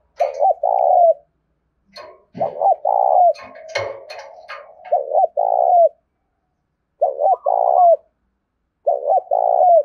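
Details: Tame decoy spotted dove in the Đồng Nai countryside giving five loud coo phrases to lure wild doves, each a pair of short hoots and a sustained falling note, with brief clicking and rattling noises between.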